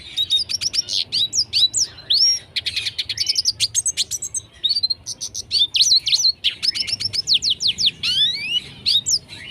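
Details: Red siskin; song; tutor recording for teaching song to other cage birds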